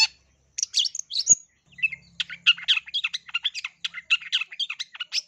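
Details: Long-tailed shrike song used as a lure to stir other shrikes into singing, packed with rapid sparrow-like bursts: a few scratchy notes, a pause, then a dense run of short harsh chirps and buzzy trills.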